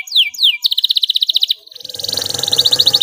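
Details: Canary singing a clear rolling song used to stimulate silent canaries. Two descending whistled sweeps lead into a fast pulsed trill, then a rolling trill over rising background noise.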